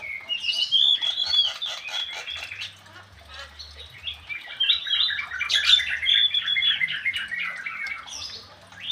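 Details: Javan cochoa giving rapid, squeaky chattering with bright whistled slurs. It comes in two loud bursts separated by a quieter pause near the middle.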